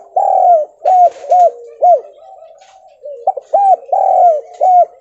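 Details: Lure call of a Javanese spotted dove in stuttering kuk 2 and kuk 3 style, meant to draw replies from other doves: a long coo, then three short hoots, a pause with soft coos, then the phrase repeats.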